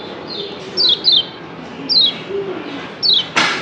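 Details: Kecial kuning white-eye from Lombok giving double-chirp calls. Thin, high, downward-sliding chirps come singly or in pairs about once a second, and a short broadband click ends the clip.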